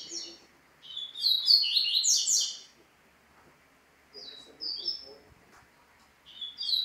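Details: Double-collared seedeater with several separate song bursts: a brief opening note, a rich run of rapid, slurred high whistles, a short mid phrase, and a final burst; quiet pauses between.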